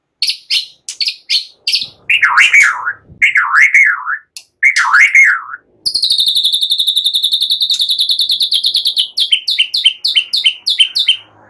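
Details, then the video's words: White-rumped shama singing a relaxed chattering song with cililin and ciblek phrases, meant as a lure for training songbirds: sharp high notes, then wavering looping whistles, then a long rapid buzzy trill and quick repeated notes. "Ocehan SANTAI MURAI BATU, NEMBAK CILILIN SAMBUNG CIBLEK cocok buat Pancingan"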